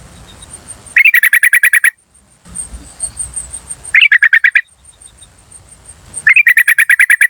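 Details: Wild yellow-vented bulbul calling, played as a lure for wild bulbuls in forest, garden or around the house. Three fast stuttering 'cuk cuk cuk' runs of roughly ten notes each, spaced a few seconds apart, over a continuous insect whine.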